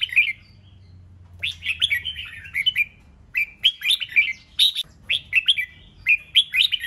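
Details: Red-whiskered bulbul in lively "ché nẹt" song meant to provoke fighting or competition. Short bursts of bright, slurred whistled phrases come in quick runs after a brief opening note, with sharp clicky accents and a low background hum.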